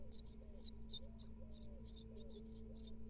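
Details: Begging of great tit nestlings as the female brings food and cleans the nest, second clutch, Israel, 2022: loud, very high, rapid squeaking notes in quick bursts, backed by a faint steady hum.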